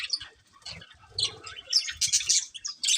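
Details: A breeding pair of colourful budgies begins with soft scattered chirps. Loud harsh twittering and squeaky whistles build in the second half.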